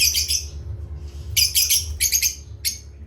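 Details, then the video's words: Rapid, buzzy, high chirping from parrots at playtime, in dense bursts of stuttering notes separated by brief gaps, over a background hum. "Beloved Asia Parrots and playtime with Parrots Chirping"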